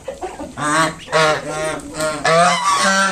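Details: Kept mother swan with five newly hatched cygnets honking at an approaching person to drive them away; a soft call opens, then three long nasal, harmonic honks, each about half a second, with a short rising note at the end.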